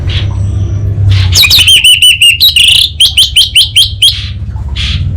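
An orange-headed thrush sings a rapid run of sharp, high whistled notes, about nine in two seconds, after a brief scratchy phrase, over a low hum.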